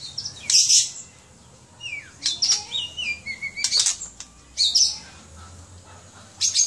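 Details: Caged white-rumped shama in Aceh, Indonesia: loud high bursts mixed with sliding whistled phrases, some rustling like wing flutter in between.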